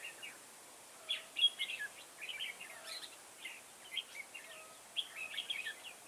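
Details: Garden trapping on 9 October 2017 with a decoy red-whiskered bulbul: dense chattering warbles and sharp chirps in quick succession, the phrases broken by short pauses.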